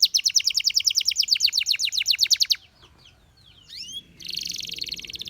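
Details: Canary singing for training: a steady fast trill of repeated notes, a short pause with faint slurred notes, then a buzzing dense trill.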